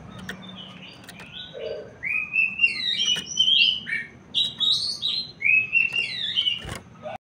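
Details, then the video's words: Abbott's babbler song used to stimulate other birds to sing: a lively run of clear whistled phrases, rising and falling slurs between mid and high pitch, delivered in quick bursts with a few sharp clicks, over a low background hum. "cepat naikkan mental jadikan burung pelanduk semak lain makin gacor"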